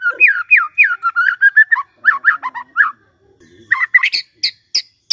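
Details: White-rumped shama singing in the morning to prompt a silent shama: series of looping whistled notes, more varied whistles, then sharp high ticking notes.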